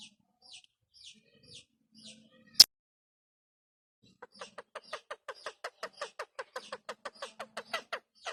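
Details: Pet Indian ringneck parakeet starting to talk: a few thin high chirps, a single loud click, then a fast even run of about twenty sharp chattering notes.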